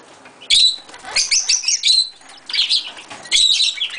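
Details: Pet blue-masked lovebird let out to fly free in a room after a long time, flying clumsily: short sharp high chirps in bursts with wing flutters and rustling throughout.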